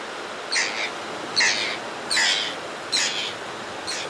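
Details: Close-up of an adult white-fronted tern calling as it comes to a nesting ledge to feed: five harsh, rasping, high-pitched, grating calls, about one every 0.8 seconds, over a steady background hiss.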